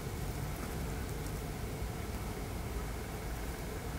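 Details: Quiet, steady rain-like hiss and low rumble throughout, with no animal call standing out.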